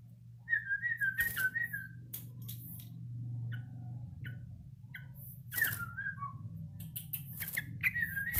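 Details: A Yellow-vented bulbul practising its song gives faint, wavering whistled phrases, separated by clicks and knocks, over a steady low hum.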